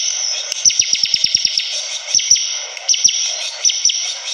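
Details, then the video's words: Bar-winged prinia singing persistently: a quick run of sharp, high chirps with snapping clicks, then scattered downward-sweeping notes over a steady high-pitched hiss. "Suara burung ciblek kristal || prenjak gacor"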